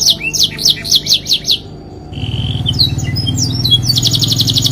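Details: Canary in long continuous song: a run of quick high down-slurred notes, a short gap, a steady whistled tone, scattered chips, then a fast buzzy trill. A low droning hum enters midway.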